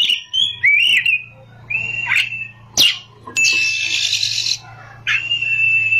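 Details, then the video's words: Oriental magpie-robin singing ngerol and nembak style: rising and falling whistled slurs, a sharp click, then a long buzzy, grating phrase and a held steady whistle, with a steady low electrical hum beneath. "kacer gacor ngerol,nembak"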